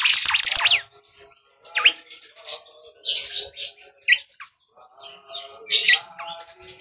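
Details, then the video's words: Bimoli song used to draw out other birds in training: rapid scratchy chirps and sharp falling whistles in bursts, with brief quiet gaps between phrases. "SIULAN BIMOLI UNTUK PANCINGAN BURUNG"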